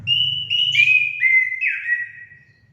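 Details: Orange-headed thrush singing, played to prompt pet songbirds into song: one continuous whistled phrase of clear, sliding notes stepping gradually downward and fading, with a faint low hum underneath.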